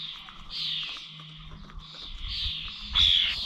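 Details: Starlings recorded on 21 November at bird feeders in old Corby village, giving rasping, hissy calls that swell and fade, ending in a louder screechy burst, with low rumbling background noise.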